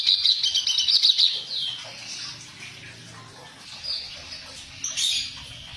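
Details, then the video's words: Reed warbler (kerak basi) song used as a training recording with harsh notes: loud scratchy chattering bursts for the first second and a half, then fainter, rasping phrases with a sharp harsh note near the end. "Suara burung kerak basi masteran suara kasar"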